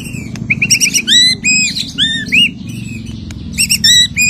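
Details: White-rumped shama singing after its moult, loud and varied: clear whistled notes around a steady pitch, then upswept and arched phrases in quick bursts, with a low hum underneath.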